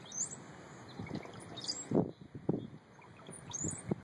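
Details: Brown-headed Cowbirds singing near Glass Beach, Fort Bragg, California: thin, very high sliding whistles three times, over low thumping rumbles and a steady faint hum.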